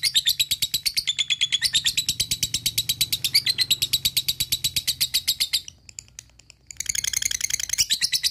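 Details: Lovebird ngekek for pumping up other lovebirds: a long rapid chatter of bright high notes for over five seconds, a near-silent lull, then the trill starts again.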